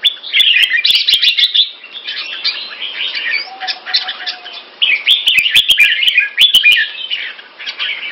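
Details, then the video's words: Loud, clear song of a caged Singapore-kept red-whiskered bulbul with a red face: dense, chattering warbles in two main bursts around a quieter middle stretch, with frequent sharp clicking sounds throughout. "Jambul - สิงคโปร์เลี้ยง นกหัวจุก Red face Pama Dha Burmese sword Clear Loud Keke"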